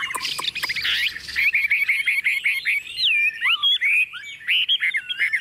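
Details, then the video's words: Chinese hwamei, a tame hand-raised bird placed on a table and singing boldly, starts with a few harsh rasping notes, then runs into a fluid stream of sliding, looping whistles that rise and fall in quick succession. "Họa mi thuần xách tay đặt bàn tự tin hót"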